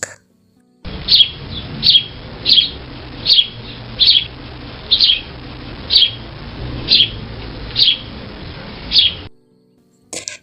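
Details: A sparrow in winter gives a series of about twelve bright, sharp chirps, one roughly every three-quarters of a second, over a faint steady hiss.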